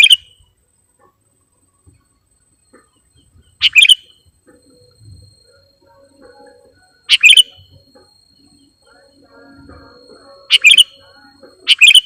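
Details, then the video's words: Actively singing sooty-headed bulbul lure bird with a full repertoire of borrowed phrases, giving sparse, sharp, brief chirped phrases roughly every three seconds. Long quiet pauses between them carry only faint low background rustles. "KUTILANG PIKAT || BURUNG LEGEND FULL ISIAN DAN GACOR"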